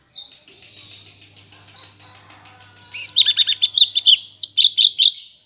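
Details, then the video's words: Caged Black-headed Bulbul singing after its moult while still learning: soft scratchy twittering builds into loud, rapid, sharply repeated chattering notes, some clustered in quick groups, over a steady low electrical hum. "Burung Cucak cungkok gacor paska mabung"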